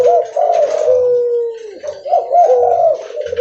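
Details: Spotted dove, leopard variety, calling loudly while walking; a few rolling coos, a long even held note, then another burst of looping coos.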